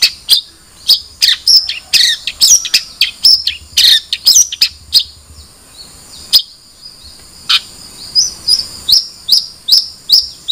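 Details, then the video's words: Long-tailed shrike singing: sharp, high chirps and short downslurred notes given in quick irregular bursts, with brief pauses and one lower swooping note, over a steady faint high hiss. "Suara Burung Cendet"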